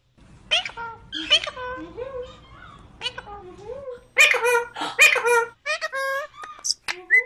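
A cockatiel mimics the word "peekaboo" in raspy, speech-like phrases mixed with sliding whistles, repeated several times over a few seconds. A low indoor hum sits underneath.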